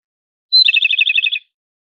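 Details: Japanese robin: a clear high whistle followed by a quick, rolling trill of about ten distinct pulses, loud and clean, ending abruptly after just under a second.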